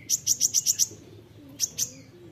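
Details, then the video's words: Olive-backed sunbird (kolibri ninja) in a training recording for songbirds, nembak rapat style: a burst of six quick, sharp, high chips, a pause, then two more chips, with faint low hum behind. "masteran kolibri ninja (konin) nembak rapat"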